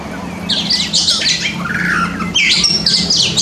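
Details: Pet white-rumped shama (kacer) in a training recording for birds that sing little: dense, harsh chattering and squeaky whistles, fast and varied, over a low steady engine-like hum.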